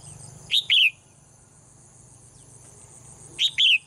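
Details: Caged female bird singing in the morning, giving two pairs of bright, sharp high chirps about three seconds apart, with a faint low hum between them.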